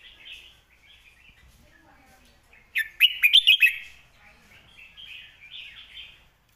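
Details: Clear master song of a red-whiskered bulbul for tutoring birds: a loud, crisp phrase of five or six quick warbled notes in the middle, framed by soft chattering of other birds.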